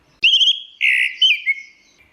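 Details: Teler song from an orange-headed thrush: a quavering whistle, then a loud, buzzy sustained note and a downward-slurred whistle, all in quick succession.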